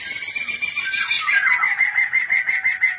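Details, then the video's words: A black-throated laughingthrush, used as a master recording to train birds, gives a dense, high, ringing chatter of rapid notes, about three per second, with a lower note sliding downward midway. "Materan burung poksay mandarin pancingan burung poksay agar gacor"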